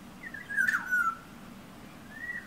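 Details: Oriole, a yellow bird perched outside a bedroom window, singing and at times tapping on the glass; one short fluted whistled phrase, rising then falling, with a fainter whistle near the end over a low indoor hum.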